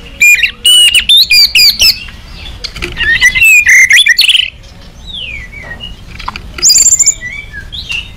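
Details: A white-rumped shama in an agitated state, singing to provoke rival shamas. It gives a run of loud clipped notes, wavering whistled phrases, and softer slurred notes over a noisy background.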